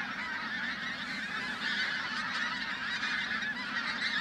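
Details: Continuous overlapping honks from a big flock of pink-footed geese, recorded at Flitcham on 5 January 2017, forming an unbroken, busy chorus of many birds calling at once.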